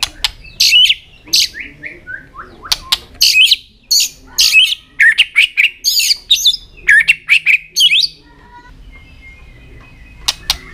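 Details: White-rumped shama singing with tail flicks to stimulate young birds; dense runs of loud, harsh, rising whistled notes in rapid bursts for eight seconds, then near silence with a couple of sharp clicks.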